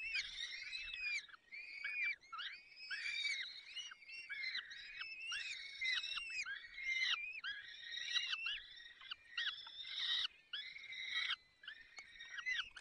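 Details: Peregrine falcon male feeding chicks at a nest in the Barycz Valley, 30 April 2020, early afternoon. A steady chorus of high, nasal, slurred whining calls repeats almost without pause, several voices overlapping, each note about a second long.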